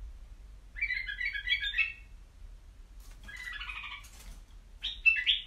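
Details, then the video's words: White-eared bulbul kept in a cage sings three separate phrases, each a quick bubbling warble of mid-high notes, the last one louder and sharper, with faint low hum beneath. "تغريد بلابل يجعل بلبلك يغرد"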